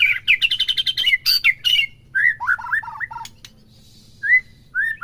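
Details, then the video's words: White-rumped shama singing to rouse a caged bird into full song: a fast series of repeated sharp chips at the start, then looping whistled phrases, a pause, and a few clear rising whistles. "PERANGSANG EMOSI MURAI BATU AGAR CEPET IKUT BONGKAR"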